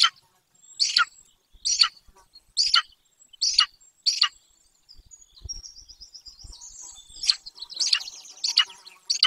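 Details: From a webcam at a remote Golden eagle nest in Bucovina: a run of five sharp chirps about 0.8 seconds apart, then soft twittering, then more irregular, overlapping chirps. Light rustling sounds at low pitch.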